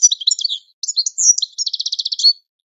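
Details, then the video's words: European goldfinch training song: a rapid tumble of high twittering notes, then a fast buzzy trill of evenly repeated notes ending in a bright whistle, all high-pitched and clean with no background sounds. "12h Goldfinch The Best Singing - training song"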